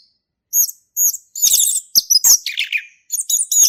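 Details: Male orange-headed thrush in forest, singing in a lively manner: two clean high whistled notes, then dense varied rapid chirps and slurred whistles with short pauses.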